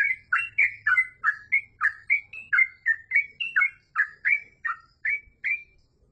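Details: Yellow-vented bulbul singing continuously in a rapid chattering style: about fifteen short, liquid, bubbly phrases, each a quick rising-and-falling warble, run closely together over six seconds with brief gaps and a faint low hum beneath.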